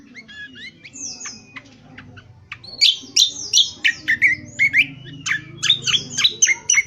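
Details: Indonesian honeyeater delivering 'ngriwik kasar', a rough twitter used for bird training: a quieter start of thin whistles and chirps, then loud, sharp, hooked notes in irregular quick bursts.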